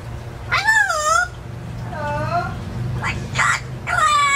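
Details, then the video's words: Indoor-aviary pet parrot talking: wavy, rising-and-falling harmonic voice phrases, a softer curved note, then quick clipped syllables and a final bright wavering phrase, over a low steady hum. "How about crackers and crows"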